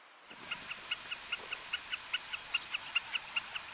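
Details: Meadow pipit (Anthus pratensis whistleri) in Iceland, June 2019, giving a quick series of thin, high 'sip' notes, about two or three a second, steady and evenly spaced, over faint background hiss.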